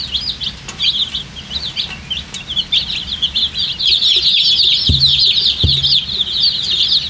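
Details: Colour chicks, thirsty poultry babies wanting water, chirp in a dense high chorus that grows louder halfway through; two sharp knocks sound in the background.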